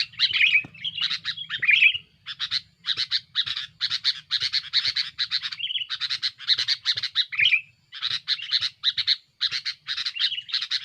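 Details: Sooty-headed bulbul in noisy, active song meant to pressure rivals, used as a lure for bulbuls in forest: rapid harsh chattering bursts packed closely, broken by a few slurred whistled notes, with short pauses between runs.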